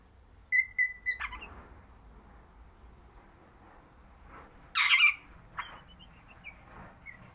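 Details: Pet crimson rosella, described as orange, giving three short piping whistles, then a rough burst of harsh squawking followed by a few thin high notes in a quiet room.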